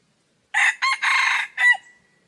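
A red junglefowl gives one short, hoarse crow in four quick clipped parts over about a second, ending in a thin trailing note; nothing else is heard.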